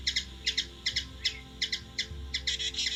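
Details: Rapid doubled chip notes from a hummingbird in Washington DC, USA, about two and a half pairs per second, briefly quickening into a rattle near the end, steady background hum.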